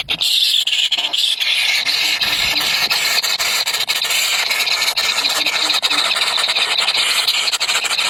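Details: Three hungry baby birds beg nonstop, a dense high shrill chorus of squealing cries that hardly pauses over the whole stretch.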